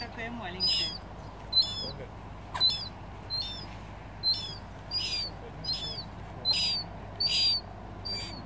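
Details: Young mew gull at Flåm, Norway, gives thin, high, whistled squeals about once a second, each a short slurred note over a low steady background rumble.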